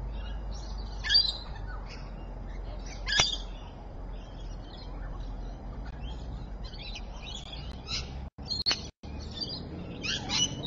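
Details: Rainbow lorikeet recorded at Evans Head on 26 May 2012 at 3:45 pm: shrill, high chirping notes in short bursts near one and three seconds, then scattered calls over a steady low rumble, with brief dropouts after eight seconds.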